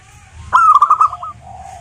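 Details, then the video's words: A single zebra dove phrase meant to lure local birds into singing: an abrupt, loud start breaks into a quick string of bubbling, staccato coo notes that fade into a soft, lower, steady tone. "suara burung perkutut, GURU VOCAL JITU atasi kutut lokal gacor untuk pancingan perkutut agar bunyi"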